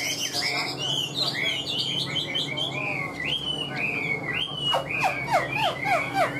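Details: Chinese hwamei kept in a cage, pouring out a flowing song of clear whistled phrases that bend up and down, ending in a rapid string of descending, slurred notes repeated several times.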